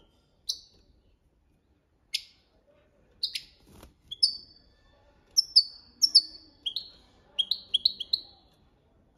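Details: Goldfinch singing the copia malaga training song: isolated sharp ticks at first, then increasingly frequent bright upslurred chips and twittering notes clustering toward the end, against quiet background.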